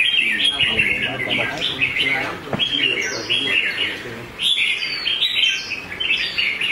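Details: A red-whiskered bulbul bred for competitive singing gives strong, warbling bursts of notes, a short break, then another loud flurry, with faint voices behind.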